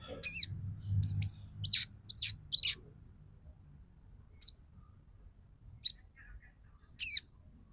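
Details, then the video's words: Female sogon calling a male, used to excite males into singing and breeding condition; a handful of high, clear, slurred chirps at first, then single chirps spaced a second or more apart over faint low hum. "SUARA SOGON BETINA MEMANGGIL JANTAN AMPUH UNTUK PANCINGAN SOGON AGAR BUNYI DAN NAIK BIRAHI"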